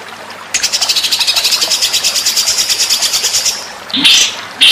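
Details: White-rumped shama song for training contest birds: after quiet, a long, rapid, buzzy high trill runs for about three seconds, then a loud burst of sharp notes near the end.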